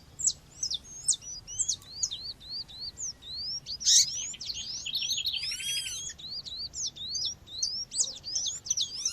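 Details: Female seedeater (coleiro or papa-capim) calling amid nature sound, used to warm up males: a dense, continuous run of high, sharp, upslurred chirps, with a sudden loud burst midway and another bird's ringing, stacked notes.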